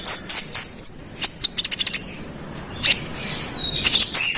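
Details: Konin singing persistently to provoke other konin into reacting: quick strings of very high, sharp chirps and ticks with thin whistled notes, a short pause midway, then more rapid chirping.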